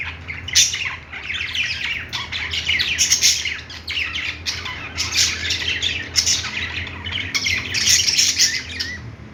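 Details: Playing budgies give a continuous busy warble of overlapping chirps and harsh squawks, with louder bursts at about 0.5, 3 and 6 seconds and a faint low electrical hum underneath.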